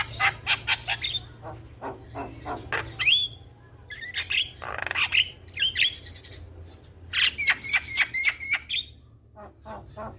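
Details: Young jalak kebo song used to coax birds into constant singing: quick clusters of clicking rasps, then bright bending whistles and a rhythmic string of harsh notes repeated about four per second.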